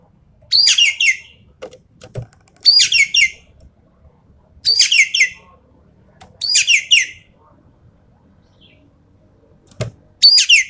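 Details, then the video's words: Javan pied starling in full 'tembakan' song, used to test champion birds: repeated bursts of harsh, scratchy chatter recur about every two seconds, six phrases in all. Soft clicks and knocks come between them. "BURUNG EKEK KELING SUARA FULL TEMBAKAN COCOK BUAT TEST MENTAL BURUNG JUARA"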